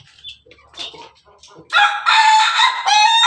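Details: A red laughing chicken (Ayam Ketawa) rooster on top of its cage, after faint scattered clucks, launches into a loud, sustained, melodious crow that breaks briefly before continuing.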